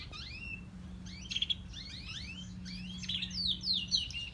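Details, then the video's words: Grey and crested canaries giving upward-sweeping whistled notes and short sparkling trills in loose succession, accompanied by a faint steady low hum. "Canarios cantando - Gris y copeton"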